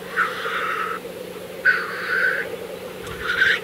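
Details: Black grouse displaying at the lek, April 2024: loud harsh hissing sneezes, each lasting under a second, arriving about every second and a half over a steady low bubbling chorus.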